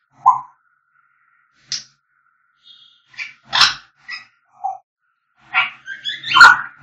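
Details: Whistling from African grey parrots: isolated short whistled notes and clicks spaced irregularly, ending in a louder cluster of rising, slurred whistles and harsh calls.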